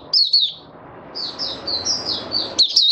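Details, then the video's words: White-eye song, the buka sing style of the mata puteh: a loud slurred phrase, then a run of softer high whistled notes, ending in sharp rapid chirps, all over a broad low background hiss. "Mata Puteh Raja Stablizing his form buka sing 08012022"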